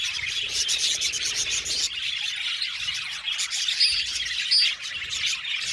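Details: Colony of Australian budgies in an aviary, singing and chirping: a dense, continuous wash of high twittering and warbled chirps from many birds at once, with a few sharper whistled notes standing out.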